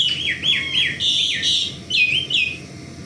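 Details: Morning song of an Asian pied starling: a quick run of clear, falling whistled notes, some looping up then down, delivered almost continuously across three seconds.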